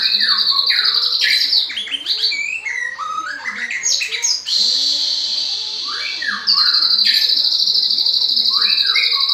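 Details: Murai batu, the white-rumped shama, in energetic song: rapid bursts of rich whistles, downward slurs and harsher squawky notes. A constant high-pitched buzz hums underneath and swells louder near the end.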